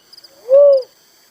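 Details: One hollow, low whistled note from a little cuckoo-dove, swelling and fading in under half a second, with faint high insect chirps before and after.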